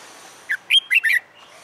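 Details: Caged red-whiskered bulbul, a newly caught bird in training for fighting song, gives one short phrase of four loud, slurred whistled notes lasting under a second over faint background hiss.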